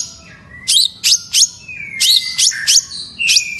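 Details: Long-tailed shrike in lively song, giving short bursts of harsh, buzzy chattering notes separated by thin drawn-out whistles, about three bursts in each of two phrases.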